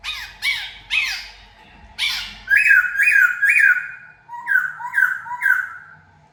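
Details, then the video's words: Laughingthrush, a decoy bird let loose indoors for the first time, gives loud harsh falling notes, then repeated whistled phrases in sets of three, each slurring downward, about two per second, in a small room. "lần đầu thả Chim khướu mồi trong nhà"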